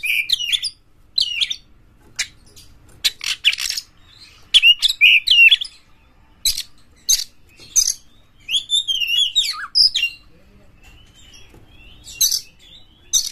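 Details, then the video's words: Oriental magpie-robin described as aggressive, singing to stir other kept magpie-robins into full song: bursts of harsh buzzy notes mixed with high twisting whistles, in short phrases separated by brief silences. "KACER GALAK dapat menyebabkan Kacer Anda GACOR NGEPLONG BONGKAR MATERI buka ekor dongkrak emosi"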